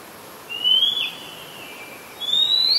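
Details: Oriental magpie-robin in Ubon Ratchathani, Thailand, 2 July 2022, recorded on a Nikon P1000, giving two long pure whistles, the first level then dipping, the second rising sharply after a gap of over a second.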